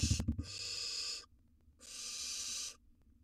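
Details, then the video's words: Wild barn owl nestling eating a gerbil inside a nest box: a short burst of thuds and scraping, then two long harsh hisses separated by a brief silence. "Barn Owl Nestling Devours A Gerbil"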